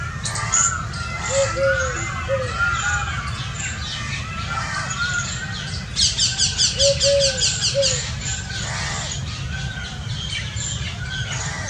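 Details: Indian scops owls of one family give brief low arched hoots in pairs or triplets, spaced a few seconds apart. Busy high twittering from other birds runs throughout, with a loud trilling burst midway.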